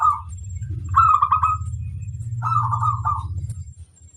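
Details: Kept zebra dove, recorded for training other doves to sing, giving two bubbling, rapidly pulsed coo phrases of about half a second each, separated by a pause, over a steady low droning hum.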